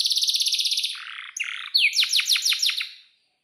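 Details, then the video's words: Canary singing a long, vigorous rolling song meant for teaching young birds. A fast, even high trill gives way to a lower rattling roll, then a run of sharp falling whistled notes that fades out near the end. "SUARA BURUNG || Kenari GACOR PANJANG"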